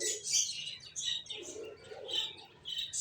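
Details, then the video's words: Finches chirping in a lively run of short high notes, bright twittering bursts coming every half second or so with faint low background hum. "Cute Birds Chirping Sounds | Beautiful Finches Sounds"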